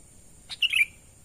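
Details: Sooty-headed bulbul natural call for luring wild birds: a brief chirp, then a rich, rolling warbled phrase sliding downward, heard once over a thin continuous hum.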